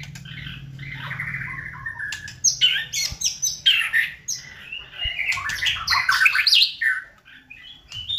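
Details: Lure recording of a white-rumped shama meant to trigger singing: a low steady hum at first, then a dense, energetic run of whistles, chatters and harsh notes in quick bursts.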